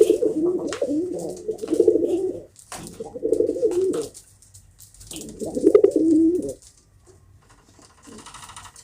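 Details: Domestic pigeons indoors giving three bursts of low rolling coos, each about two seconds long, separated by short quiet gaps.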